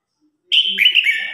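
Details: A red-whiskered bulbul, singing as a contest or flock-calling song, gives one brief, bright phrase of fluty, warbled notes that slide up and down over less than a second, with no other sounds.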